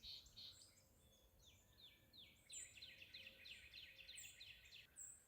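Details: Song sparrow giving an unusual, funky song in a sorghum field at State Game Lands 169 near Newville, Pennsylvania, early morning: a few clear opening notes, then fast buzzy descending trills, other small birds chipping behind.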